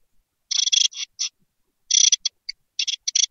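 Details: Great tit nestlings in a nest box begging as they wait to be fed: dense runs of harsh, wheezy hissing notes in two busy bouts, rapid and overlapping, with no other sounds.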